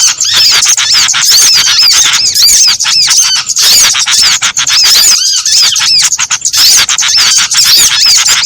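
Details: Small birds in a combined lure recording for trapping birds: a dense, unbroken chorus of high, overlapping chirps and short up-and-down whistles, with a brief lower, rising note near the five-second mark.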